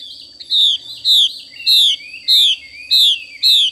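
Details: Female Chinese hwamei giving its xùy call: six loud, clear whistled notes, each sliding downward, repeated about every 0.6 seconds, with faint background hum.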